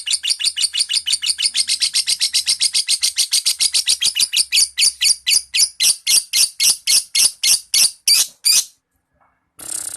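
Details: Lovebird in full, active song, kept as tutor material for magpie-robins: a fast run of sharp, high chirps that gradually slows and spaces out before stopping, then a brief burst after a pause.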